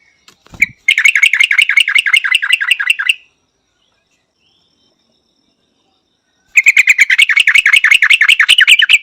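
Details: Two bursts of Yellow-vented Bulbul song, each a quick, rattling series of sharp bell-like notes lasting two to three seconds, separated by a silent gap, with a soft thump before the first.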